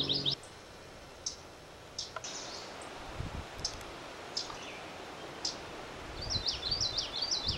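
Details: Common yellowthroat (Geothlypis trichas), song.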